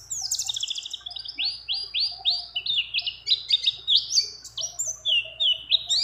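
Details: Female mountain white-eye in breeding condition summoning a male, with mimicked phrases of other birds: a buzzy high opening, then a lively series of clear, rising-and-falling chirps repeated at a steady pace.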